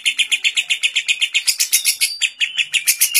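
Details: Lovebird carrying kapas tembak fill-in, in a training recording, delivering a long ngekek: rapid scratchy chirps in a steady stream, brightening midway, with a brief thin whistle near the end.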